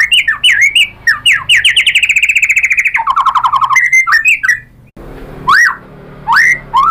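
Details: White-rumped shama song meant to draw other shamas into singing: rich varied phrases, a long rapid rattling trill, then loud rising whistled notes after a brief pause.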